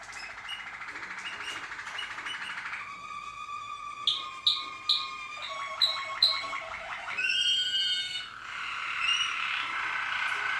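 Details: Malinois Waterslager canary song from 2014: a rolling low trill, then ringing bell-like notes repeated about once a second, a bubbling water-like trill and a high whistled phrase.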